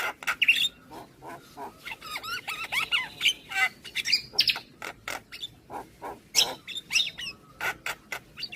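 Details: Javan pied starling in morning song that neighbours' starlings answer: fast sequence of clicks, harsh rasps and thin whistled phrases, bursting irregularly throughout.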